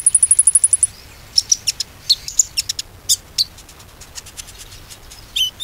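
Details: Bar-winged prinia lure song to restart a bird that has gone quiet: opens with a fast high trill, then scattered sharp chips and short squeaky notes.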